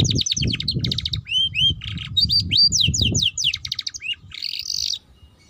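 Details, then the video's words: Young canary singing a lively mix of rapid clicking trills, upswept whistles and a buzzy closing phrase, over low background rumble that fades before the end. "Pancingan Kenari Paud Cepat Bunyi || Cocok Untuk Kenari Paud Belajar Bunyi Ngeriwik"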